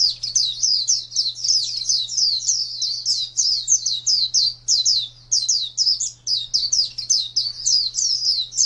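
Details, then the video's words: White-eye (pleci) kept as a pet and contest songbird, singing a long unbroken stream of high, rapid, down-slurred chirps, almost without pause, over a steady low electrical hum. "Birds Chirping Pleci Master Joss Chirps"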